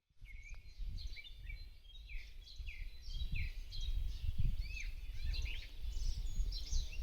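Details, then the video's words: Wild birds singing in a forest in early spring, April, within an ornithological reserve in Cherkasy region, Ukraine; several overlapping high chirps and short whistled phrases, some downslurred, over strong low rumbling wind noise. "Пение 🐦 Птиц в Лесу Весной Wild #Nature Sounds & Spring Forest #BirdSong"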